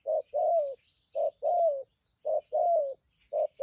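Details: Spotted dove, a wild-caught decoy bird with a good voice, cooing thúc gù style: a clipped coo followed by a drawn-out, slightly downslurred coo, the pair repeated steadily; soft twittering of small birds in the background.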